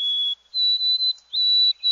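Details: White-throated sparrow (Zonotrichia albicollis) song, Central Texas sparrow identification: a clear, pure whistled note, then a slightly higher held whistle broken into steady drawn-out notes, the "old sam peabody" song often heard from skulking birds that may not come into the open.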